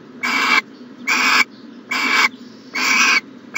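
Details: Nest-box owl on a January 2020 morning producing drawn-out hoarse hisses, four full bursts of about 0.4 seconds at an even rhythm, a fifth beginning at the end.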